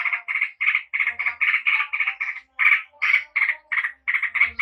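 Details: Lively, unbroken song of a yellow-vented bulbul, a species of Java, used to lure responses: bubbly, gurgling notes grouped in quick bursts of two or three, separated by very short pauses.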